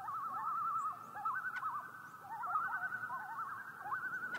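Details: Nighttime common loon tremolo: fast quavering warbles repeat almost without a break at a moderate distance, with a couple of faint clicks and a soft hiss.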